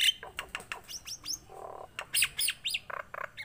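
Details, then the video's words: A tame Nias hill myna in full song gives a rapid run of loud, sharp whistles and rising chirps, broken by a brief lower harsh buzzy note. "BURUNG PINTAR,jalak NIAS"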